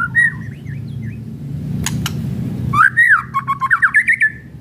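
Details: Kretekan song of a white-rumped shama, used to provoke rival shamas: a brief whistle, a stretch of low hum with two clicks, then a loud warbling whistled phrase breaking into quick repeated notes.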